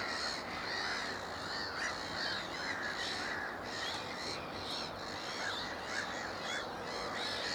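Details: Black-headed gull juveniles on a Worcestershire wetland reserve at Upton Warren, 13 June 2019, giving loud, hoarse caws in quick irregular series, overlapping with other gulls in a noisy colony din.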